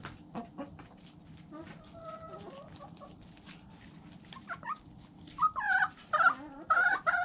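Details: Chickens eating: quiet pecking clicks at first, then louder rising squawking calls in quick succession toward the end, about two per second.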